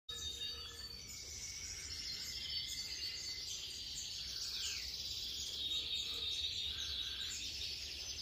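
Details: European goldfinches in an aviary: faint, thin, high twittering and short warbled phrases drifting through the clip, with a steady hiss underneath.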